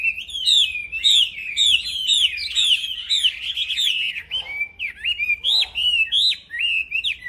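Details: Black-throated laughingthrush from an aviary, singing without pause as a training master: rich, rolling whistled phrases, rapid and wavering, with brief gaps and a couple of softer lower notes.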